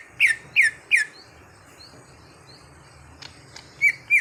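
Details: Greater green leafbird, untrained and being trained toward gacor singing, gives three ringing downslurred whistles, a quiet gap with faint high notes, then two more whistles, over low background hum.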